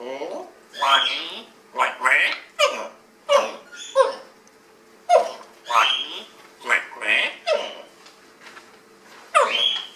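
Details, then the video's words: African grey reciting Om Mani Padme Hum in a small room, producing a steady stream of short, chanted, human-like syllables, about a dozen bursts separated by brief gaps, with a faint low hum underneath. "African Grey reciting Om Mani Padme Hum"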